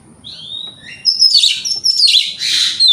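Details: Short burst of Oriental magpie-robin song, recorded in the morning to provoke rival birds: a thin rising whistle, then loud, noisy, rasping phrases mixed with sharp whistles; faint low hum beneath.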